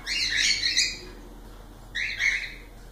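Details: Cockatiels letting out two harsh, raspy squawking bursts a second apart, with silence between them.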